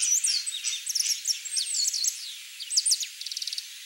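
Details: Shiny cowbird song: a busy run of high, sharp whistled slurs and rising and falling notes, ending in a short rapid series of evenly spaced clicks, with a faint hiss behind.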